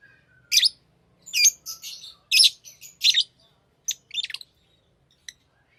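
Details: Lovebirds kept as pets calling with clusters of shrill, raspy chirps separated by short pauses, ending in a few thin, clipped notes.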